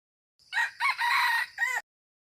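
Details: One crow of a wild red junglefowl cock, lasting about one and a half seconds: a clipped note, an upslurred syllable, a drawn-out coarse middle, and a falling closing note, then silence.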